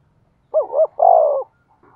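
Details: Spotted dove decoy meant to provoke cooing: one clear low phrase, two short wavering notes followed by a longer steady coo, then near silence.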